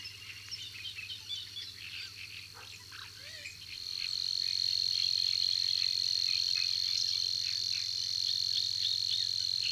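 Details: Savi's warbler at Tancat de l'Illa: a fainter reeling buzz for about four seconds, alongside a few short whistled and chirping calls, then the persistent high trill strengthens and continues steadily to the end.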